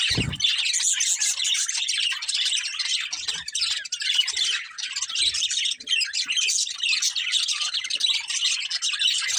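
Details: Breeding pair of budgerigars chattering nonstop: dense, fast, high warbling chirps and squeaky twitters run through the whole stretch with barely a pause, with one low thump at the start.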